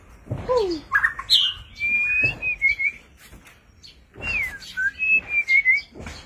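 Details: White-rumped shama singing during display, a varied many-voiced performance: clear whistled slurs sliding up and down, a low descending whistle, then long thin whistled notes with short chips, in two bursts separated by a brief quieter gap.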